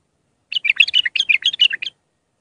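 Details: A raw Iraqi bulbul gives a Mandalawi song for tutoring young birds: one rapid run of about a dozen sweet, varied notes that rise and fall and end on a lower note.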